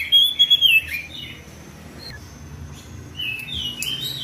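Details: Oriental magpie-robin in 'ngeplong' style calling a rival: a burst of loud whistled notes, then a quiet gap with a faint low hum, and more sweet slurred whistles returning near the end.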